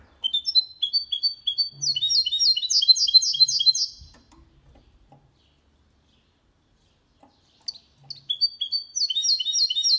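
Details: Goldfinch and canary hybrid in clean song for stimulating males and tutoring chicks: bright twittering phrases in rapid rhythmic runs, a pause of several seconds, then the trilled chatter resumes.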